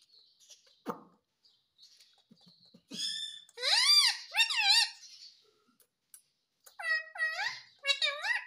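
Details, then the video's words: Talking parrot kept as a pet, said to say "papa" and "mummy"; a few faint clicks, then loud wavering speech-like syllables in two bursts, the later ones steadily rising and falling, in a small room. "Mitthu Papa Bolne Vala || Talking Parrot || Mummy Or Papa Bolne Wala Parrot"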